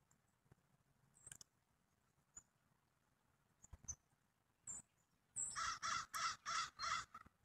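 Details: Pheasant calling: a run of loud, harsh, evenly repeated pulsed notes near the end, after faint ticks and a few high chirps from small birds.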